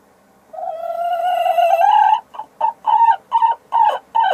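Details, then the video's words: Sussex hen laying an egg gives a long, slightly rising nasal note, then breaks into a rhythmic series of short, clipped squawks, about six in two seconds, loud and clear over a quiet background. "La Gallina Sussex poniendo un Huevo"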